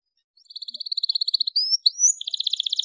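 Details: Loud canary singing as a tutor song for young canaries: a rapid trill of high notes, then clear rising whistles, then a fast buzzy roll; Belgian canary.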